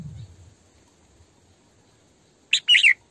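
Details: Female red-whiskered bulbul kept as a decoy bird, singing in the vigorous 'sổ bọng căng' style: after near-silence, one short, bright, twisting whistled phrase bursts out near the end, with faint low rumble at the start.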